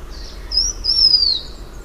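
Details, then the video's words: Blue-winged minla uttering one prolonged, high, thin whistle that slowly descends, preceded by a short soft note, with faint low background hum. "Tiếng chim khướu lùn cánh xanh"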